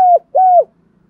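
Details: Spotted dove calling in the Đồng Thổ style, used as a lure for wild doves. Two smooth, mellow coo notes, each gently falling at the end, separated by a brief gap.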